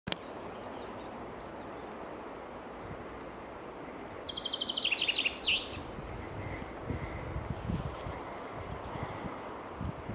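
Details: Common chaffinch singing in a forest: after a faint short trill, one full phrase of bright notes runs down the scale in an accelerating rattle and ends in a quick flourish, over steady low rushing background noise.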